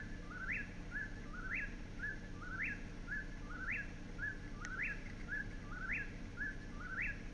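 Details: An Eastern Whip-poor-will at Bashakill Preserve, New York, sings its loud, whistled three-note 'whip-poor-WILL' with a sharp rising end, about once a second, over a steady low rumble.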